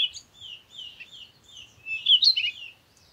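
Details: Continuous soft twittering from a parakeet, thin wavering notes that build into a louder, scratchy chirping burst near the end.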